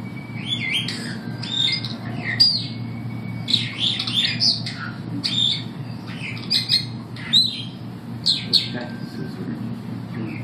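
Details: Superb starlings at the St Louis Zoo, recorded 15 September 2012, pour out a dense, rambling chatter of squeaky trills, buzzy notes and thin sliding whistles in quick bursts, set against a low background hum.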